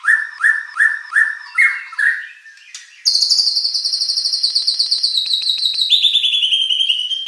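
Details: White-rumped shama song used as a lure to provoke competition birds into answering: a row of repeated downslurred whistled notes, then a rapid, buzzy high trill held steady before dropping lower.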